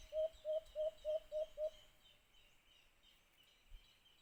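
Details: Alimokun, the white-eared brown dove, heard while being hunted with a cage trap: a quick run of six low, evenly spaced hoots in under two seconds, then near silence with one soft thump.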